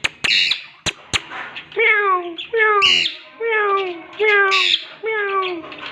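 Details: Talking green parrots give a run of short, descending, voice-like harmonic notes about once a second, mixed with sharp clicks and taps.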